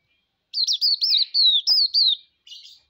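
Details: Song of an auriventer white-eye, known as pleci: one sweet, high phrase of rapidly warbling whistled notes lasting under two seconds, ending in a soft buzzy note.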